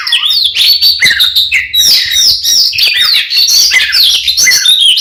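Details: Oriental magpie-robin singing a combative fighting song to provoke another male: a nonstop, rapid stream of varied whistles, slurred notes and scratchy chatter, steady and loud throughout.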